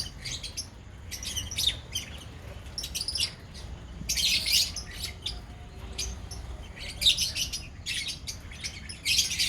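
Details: Chattering lovebirds from a colony call in separate loud, high-pitched bursts every second or two, quieter between, with low background noise.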